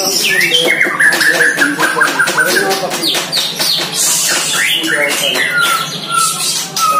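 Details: One-year-old White-rumped shama during its first training session against a neighbour's shama, attacking the rival: loud, varied song with clear whistled notes that slide along, between rapid chattering bursts, continuous and dense.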